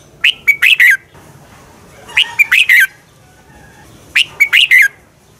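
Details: Red-whiskered bulbul singing its competitive fighting song for training other bulbuls in the morning: three matching bursts of rich, slurred whistled notes, each phrase about a second long and repeated roughly every two seconds over a quiet background.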